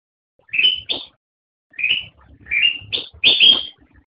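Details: Black-crested bulbul (Pycnonotus melanicterus) singing: short, clear whistled phrases of quick rising and falling notes, three bursts with brief pauses between, in an otherwise quiet recording.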